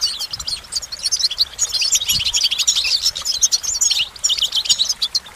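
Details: Lively goldfinch song: a dense, unbroken stream of high tinkling twitters and fast trills, clear and close, with a single soft low knock midway.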